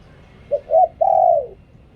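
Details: Spotted dove decoy song in the 'liew tan' style: two short clipped coos followed by one long, steady, mellow coo that fades away, over a quiet background.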